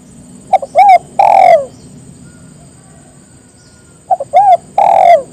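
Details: Spotted dove calling to bring others into song: two phrases of short notes, an arched hoot and a long falling coo, over a steady low rumbling background noise.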